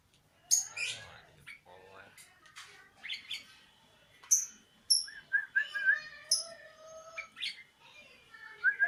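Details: Sooty-headed bulbul singing: sharp chirps and bright clear whistles scattered through the clip, with short, liquid, slurred phrases in the middle and a few thin high notes between them.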